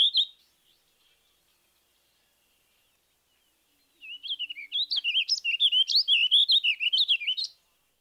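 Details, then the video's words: A warbling vireo sings a steady, rambling warble of slurred high notes lasting about three and a half seconds, evenly measured and less lively than a purple finch's, ending on an upward note, after a brief chirp. "it isn't a house finch or a purple finch this drab looking character with a sound alike song is the warbling Vireo"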